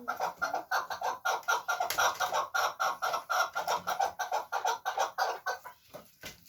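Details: Fighting chukar partridge delivering a loud, regular series of grating chuck-chuck notes, about three per second, which slow and fade toward the end.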